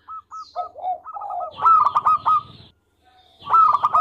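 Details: Sweet-voiced local zebra dove singing eagerly, recorded for tutoring: a few short clipped notes and low coos lead into a loud burst of rapid stuttering cooing, repeated after a short pause.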